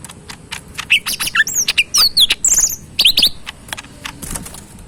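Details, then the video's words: Pet cucak ijo mini leafbird, tame and fed banana, feed and crickets, pouring out a rapid medley of high twisting whistles, slurred notes and chips, with sharp clicks throughout. "burung cucak mini gacor full yang terbaik"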